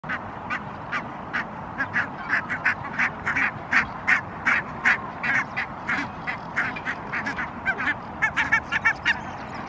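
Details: Barnacle geese grazing in a park in Helsinki, Finland, on an April 2022 spring evening; a flock gives short, yapping barks in overlapping series, several per second, over a steady low background rumble.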